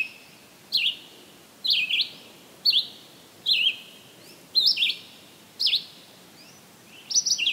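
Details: A Red-eyed Vireo (Vireo olivaceus) sings short, burry whistled phrases, each slightly different, about one per second with brief pauses, over a faint steady hiss; summer, July 13, 2023, Maynard, Massachusetts.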